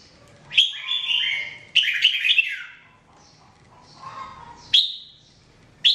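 Red-whiskered bulbul singing short bursts of bright, warbled, slurred whistles, several phrases a few seconds apart, each starting with a sharp high note.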